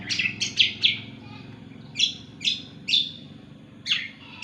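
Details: Greater green leafbird (cucak kombo) singing vigorously: bright, high chirped notes in quick bursts, then separate sharp downslurred phrases about every half second, over a faint low steady hum.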